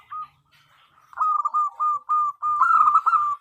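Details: Female zebra dove, a local perkutut, calling to a male as a lure: a faint coo, a pause, then a dense stream of short rising-and-falling cooing notes that grows stronger toward the end.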